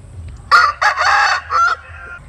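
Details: Rooster crowing at early dawn while chickens sun themselves in the morning; one crow broken into a loud opening note and a long harsh middle, ending in a shorter falling phrase, over a low background hum.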